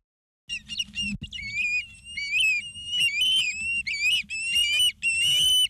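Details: Ospreys at a nest in Charlo, Montana, on 09/02/2023 at 16:03, filmed by a live nature camera: a run of loud whistled chirps with rising and falling notes, some overlapping, after a brief silence, over a low hum.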